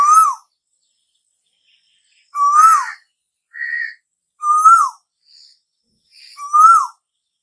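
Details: Asian koel, the bird said to call in the summer, giving four loud whistled notes, each swelling upward then dropping sharply at the end, spaced about two seconds apart; short, faint, higher chirps fall between them.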